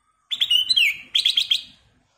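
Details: Black-crested bulbul, used as a lure recording to prompt other birds to sing, gives two quick bursts of bright, bubbling, slurred notes. The second phrase is more clipped and fades out, all in under two seconds.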